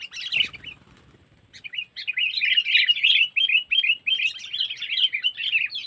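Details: Sooty-headed bulbul trapping-lure calls in the 'cengkeram' style, Lampung: after a brief rustle, an almost unbroken stream of fast, scratchy chattering notes, roughly three per second.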